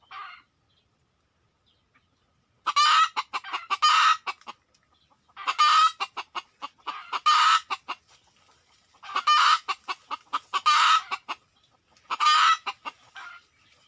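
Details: Red junglefowl called in by hunters using luring, arriving within two minutes; loud harsh harmonic bursts in four clusters of rapid clucking notes roughly every three seconds, separated by short quiet gaps, with no other clear sounds.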